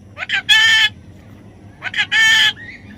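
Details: Baby parrot during taming: short upswept chirps leading into a loud, grating, drawn-out screech, repeated twice, with a softer trailing whistle after the second and low hum beneath.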